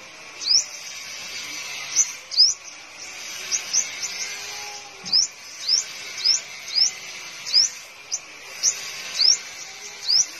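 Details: Five-colored sunbird kept in a cage in Đồng Nai, Vietnam, giving high, thin upswept notes, singly or in quick pairs, about every half second to second over a steady faint background hiss.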